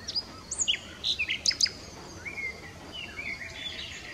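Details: Nightingale song with bright high whistles and short sharp notes early on, followed by softer drawn-out slurred whistles.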